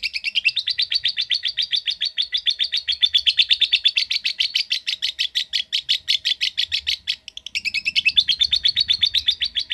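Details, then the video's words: Nearly ten seconds of lovebird ngekek: a continuous fast chattering trill of shrill notes, briefly broken around seven seconds, then resuming just as rapidly. "Cara Cepat Memanggil Love Bird Agar Ngekek Panjang"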